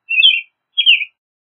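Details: Pair of downward-slurred whistled phrases sung by an American robin, half a second apart, with no other sound present.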